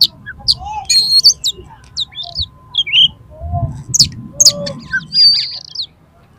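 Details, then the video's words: Agitated oriental magpie-robin fighting song, used to make other birds open their tails: quick high whistles, short buzzy trills and a few lower mellow notes, with a faint steady hum and low background rumble. "KACER TARUNG EMOSI TINGGI !!! PASTI LANGSUNG BUKA EKOR KACER MANAPAUN MENDENGAR INI"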